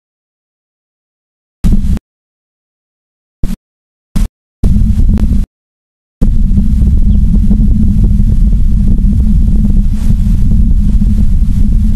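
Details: Silence broken by bursts of low rumbling noise that then runs on steadily, with no animal calls.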